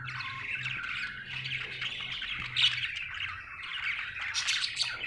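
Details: Budgerigar in a happy mood, chirping nonstop: raspy twittering warble with short squeaks and a brighter burst near the end, a low hum beneath.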